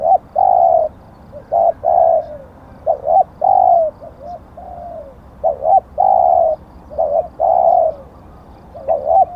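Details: Auspicious spotted dove kept as a luring decoy gives steady low cooing: sustained hoots interleaved with clipped double notes and soft sliding coos, an unbroken run of phrases.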